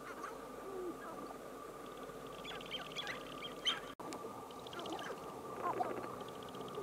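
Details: Several sharp-tailed grouse with scattered clucks and cooing notes, a burst of rapid chattering near the middle and a brief sharp click, all set against a constant thin humming tone.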